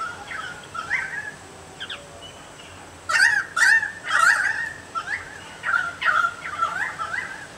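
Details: Currawong (owner fairly sure) singing to others nearby from a banksia tree in a front yard in Chelsea, Victoria, Australia; loud, ringing, slurred whistles rising and falling, in bursts about every half second through the middle and end.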